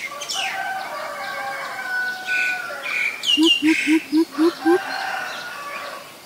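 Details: Six low, hollow hoots from a greater coucal, each rising slightly, come quickly and evenly after crowing from a domestic rooster. Recorded on April 21, 2022, in Ubon Ratchathani, Thailand, where the species is a common resident.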